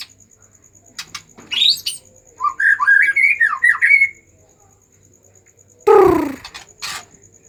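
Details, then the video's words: White-rumped shama singing excitedly to stir other shamas: a short flurry of quick rising whistles, then a loud harsh burst and a quieter tail. "pancingan murai batu emosi"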